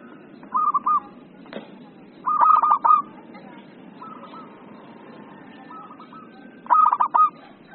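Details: Excited 'emosi' zebra dove song for tutoring and luring: short rolling, trilled coos in three bursts, the middle one loudest, separated by quieter gaps over a steady low hum.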